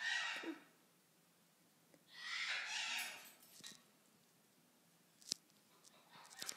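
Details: A nervous male yellow-bibbed lory on day 3 of hand-feeding training gives two harsh, raspy screeches, the second longer and fuller, followed by a few sharp clicks and taps in a quiet room.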